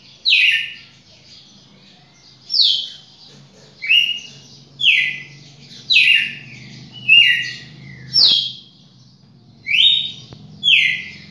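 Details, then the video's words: Champion red-cowled cardinal singing a steady series of clear whistled notes, each dropping in pitch, repeated about once a second over a soft background hum and a few sharp clicks. "galo-de-campina campeão"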